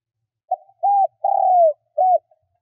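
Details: Spotted dove kept as a decoy, cooing to lure wild doves: a soft short note, a rounded coo, a long gliding croo that sinks at its end, and a brief last coo, in a quiet setting.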